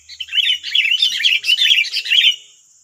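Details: A loud, continuous tumble of chattering, bubbly notes from several wild sooty-headed bulbuls responding to a decoy bird in West Lampung, Indonesia, lasting over two seconds, with a high insect hum beneath.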